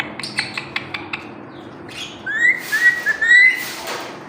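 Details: Pet parrot, said to talk nonstop: a run of short evenly spaced clicks, then a clear whistled phrase of several slurred notes rising and falling, in a quiet indoor setting.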